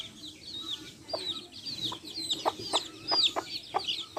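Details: Backyard hens with their chicks while the chicks feed: bright high chick peeps chatter over regular short pecking taps, with soft low clucks underneath.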